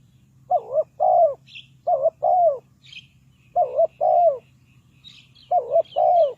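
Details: Trap-decoy spotted dove coos rhythmically in four matching phrases, each a short wavering hoot followed by a longer falling coo. The phrases come at roughly one-and-a-half-second intervals, with scattered faint high bird chirps.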